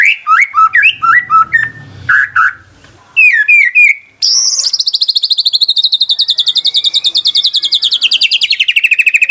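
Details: White-rumped shama singing, played to stir stalled birds into full song: rich slurred whistled phrases and chatters, then a long rapid trill of repeated notes slowly falling in pitch, with faint low rumble early on.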